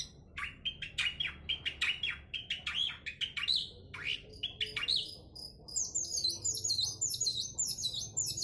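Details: Long-tailed shrike singing vigorously: a rapid run of harsh, chattering notes, then a stretch of high, thin, quickly repeated twittering phrases.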